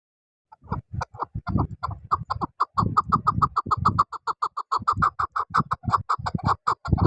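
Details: Chukar partridge, chakor, calling with a fast, steady run of clucking chuk notes, several per second, quickening into an insistent rhythmic chatter that lasts throughout.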